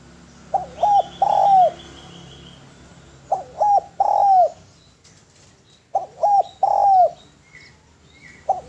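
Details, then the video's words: Three repeated phrases of spotted dove (tekukur) masteran song, each a pair of short hooked coos, a long sustained coo falling away at its end, then a clipped closing note, over quiet background chirps. "SUARA DERKUKU GACOR SUARA MERDU BERSIH MEWAH MASTERAN TEKUKUR"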